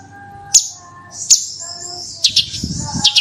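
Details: Bush lark singing a lure song: sharp high notes that open into long, thin, slightly falling whistles, then a burst of quick chirps near the end, over a faint low hum.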